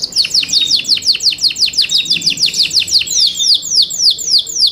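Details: Yorkshire canary kept for singing contests pours out a dense, continuous series of high falling chirps, quick and regular, slowing slightly near the end.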